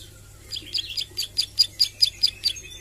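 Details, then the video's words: Young Bar-winged Prinia (ciblek sawah) in song practice, nglagu and nembak: about ten evenly spaced, sharp high chips in under three seconds, building slightly in loudness, over a low hum. "Suara Ciblek Sawah Belajar nglagu dan nembak"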